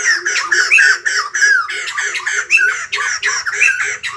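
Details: White-crested laughingthrush singing in the morning: loud, harsh, cackling notes repeated rapidly in an unbroken chattering burst, with a few clearer whistled inflections and a soft, low, regular pulsing beneath.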